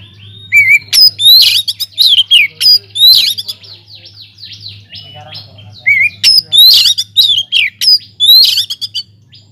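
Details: Captive white-rumped shama in full song inside a flight aviary, meant as a lure for other birds: loud high whistled notes mixed with harsh squawky chatters in two long bursts separated by a short quiet gap, constant low hum in background.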